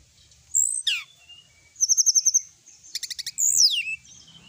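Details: Varied song of a sooty-headed bulbul: a high whistle, then a rapid trill of about six notes, a second quick stuttering burst and a sweeping downslurred whistle.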